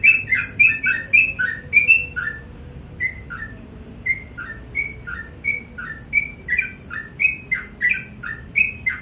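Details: Morning song of a sooty-headed bulbul: rapid chirpy high-low note pairs, a brief pause after two seconds, then the same falling couplets resume at an even pace until the end.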